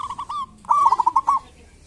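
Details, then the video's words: A local zebra dove sings in the kerot and bekur manner, as a lure for doves that seldom sing: three brief coos, a short pause, then a loud rapid phrase of clipped, throbbing notes. "Pancingan perkutut lokal gacor cocok buat perkutut lokal susah bunyi"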